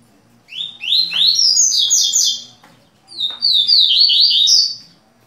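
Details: Double-collared seedeater pair indoors in Rio de Janeiro, Brazil, tui-tui style song: two lively bursts of fast, high twittering notes, each lasting about two seconds, separated by a short pause in a quiet room.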